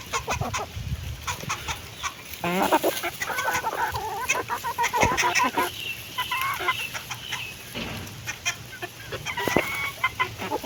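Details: Hens eating, with a burst of wavering harmonic clucks and calls in the middle, then quieter scattered clucks and pecking clicks, plus a faint low hum.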